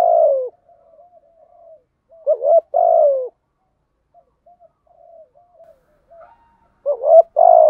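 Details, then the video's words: Captive lure spotted dove cooing to attract wild doves, phrases of a quick double hoot and a long falling coo separated by quiet low murmuring notes. "chim cu mồi thúc gù bài bản nhất hiện nay, chim cu gáy kích bổi hiệu quả nhất hiện nay"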